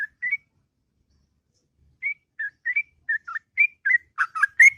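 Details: Sooty-headed bulbul in the morning giving sparse whistled notes after a quiet stretch, then speeding into a louder bubbly run at the end.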